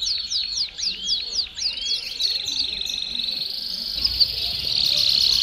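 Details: Canary-type song, Belgian canary: a series of loud downward-swept notes with looping curved notes beneath, fading into a thin, high, faint trill.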